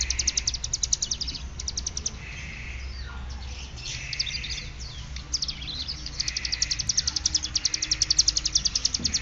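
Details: Ciblek gunung (hill prinia) from Cililin in ngeriwik song: fast, high, clicking trill runs about four per second, broken by short chirps and a falling slur. Soft buzzy bands sound between phrases over a low hum.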